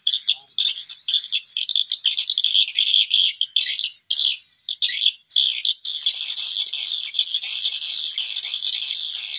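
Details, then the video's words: Calling sound meant to attract swiftlets to a nesting house: shrill, rapid chirping bursts, then a more even, continuous buzzy twitter after about six seconds. "SUARA PANGGIL WALET ORIGINAL 2022"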